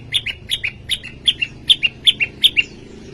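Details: Prinia known locally as prenjak lumut in lively song, Indonesia: paired high chirps, each couplet a sharp note then a lower one, repeated steadily roughly three times a second over faint background hum.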